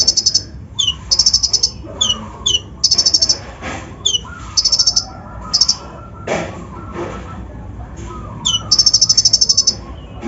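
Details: Brown-throated sunbird, untrained, in a full rough-fill lure song intended to stir up other birds; short high buzzy trills and quick falling whistles come in rapid irregular succession.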